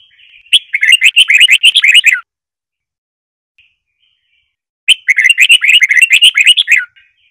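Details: {'caption': 'Red-whiskered bulbul in Trà My song style, for teaching birds the song: two lively phrases of rapid, rolling chirps, each about one and a half seconds, separated by a silence of nearly three seconds.'}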